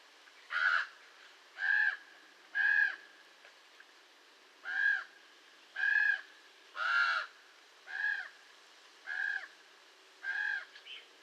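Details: Raven uttering ten throaty, rasping caws at about one per second, with a short pause after the third call; no other sounds stand out.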